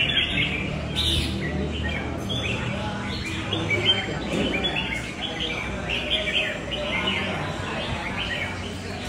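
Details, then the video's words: A fighting red-whiskered bulbul, called responsive and tail-flaring with loud, long song, gives distinct whistled phrases with sharp upward-swept notes, clearer at the start and blending into chatter later, over background rumble. "Cb nhạy xoè, to dài đấu đẹp nết cánh bướm"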